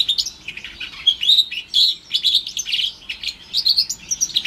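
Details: Song of a house finch x canary hybrid (Timbrado canary cross), orange/brown, about four months old, 2021: a continuous run of rapid warbled notes and chirps, sliding and trilled, with brief pauses in between.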